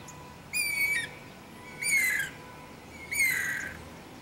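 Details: Wild Guira cuckoo calling: three loud harsh notes about 1.3 seconds apart, each a short rising squawk with a bright slurred whistle around its start, over a faint steady background hiss.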